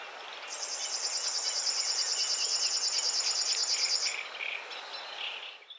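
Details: River warbler at 52.057384, 20.195077 gives its dry, rhythmic, insect-like buzzing song, a rapid even pulsing held for about three and a half seconds, with faint other birds behind.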